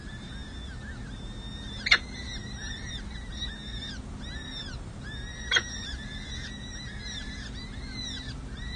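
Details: Four peregrine falcon chicks, six and seven days old, call at a city hall nest while a parent feeds them on 7 May 2024, San Jose. Thin, arched, squeaky chirps overlap almost continuously, and two sharp clicks stand out against a low background hum.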